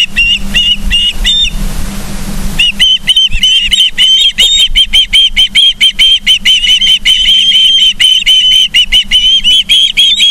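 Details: Ospreys at a nest in Charlo, Montana, on 31 August 2023 at 09:36, caught by a live nest camera: rapid, steady series of short high whistled chirps, briefly broken by a burst of rushing noise, over a constant low hum.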